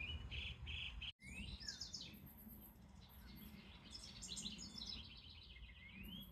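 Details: House wrens singing in a Pennsylvania garden in summer, where they have nested in the same box for 30 years; rapid bubbling, chattering bursts of high tumbling notes, a brief break near the start, steady low background rumble.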